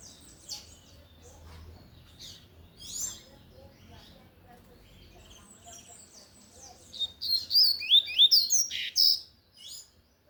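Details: Coleiro de gola (lined seedeater) singing forcefully in Tui Tui style: quiet scattered chirps and faint background sounds at first, then a loud run of rapid, high, twisting whistles near the end.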